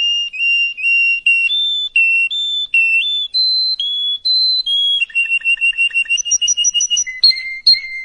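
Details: Tutor song for young canaries: measured whistled notes switching between pitches, then a rapid rolling tour of short notes with low clicks and higher trills, closing with lower repeated whistles.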